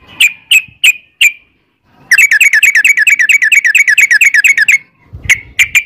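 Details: Yellow-vented bulbul used as a lure to prompt singing: four single whistled notes, a pause, then a fast rolling trill for over two seconds, followed by more separate sharp notes.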